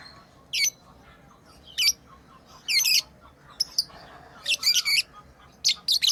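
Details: Lovebirds kept as pets chirping while playing: shrill, scratchy high notes in short bursts, some doubled or tripled, coming every second or so.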